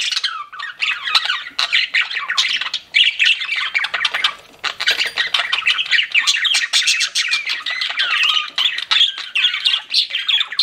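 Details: Pet budgies chirping together: a lively, continuous mix of grating squawks, clicking notes and wavering whistles, steady in loudness with one brief lull midway.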